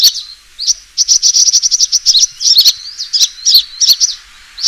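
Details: Sunbird fighting call used as a lure: high, thin chirps in fast runs, with a brief pause then a rapid steady burst of sharp ticks and twisting squeaky notes.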